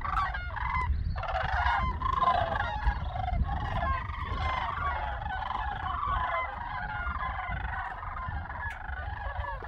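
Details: Sandhill Cranes in a flock passing over farmland in late December 2022; many birds call at once in rattling, bugling bursts that fade slightly toward the end, over a continuous low-pitched rumble.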